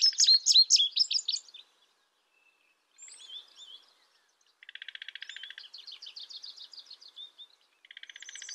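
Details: Indigo bunting calling: a burst of sharp, high-pitched chirps, then quieter thin notes, followed by buzzy, rapidly repeated note series in a high register, with brief silent gaps between phrases.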